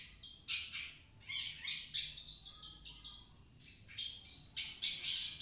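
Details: Long-tailed shrike song played as a lure so that a silent shrike will sing. A varied run of buzzy rasps and piercing high whistled notes follows in quick, irregular phrases.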